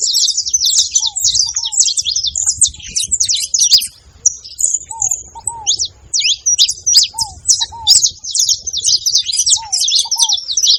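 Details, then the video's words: Noisy gathering of saffron finches at a feeder: long stretches of dense, high chattering chirps, pausing briefly near the middle, with lower paired slurred notes recurring every couple of seconds. "canário da terra fazendo barulho na seva"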